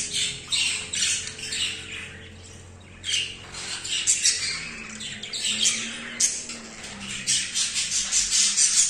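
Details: Male budgerigar, highly aroused during his first mating with a female, produces rasping, chirpy chatter. A short lull near the third second is followed by quick, irregular bursts of scratchy notes.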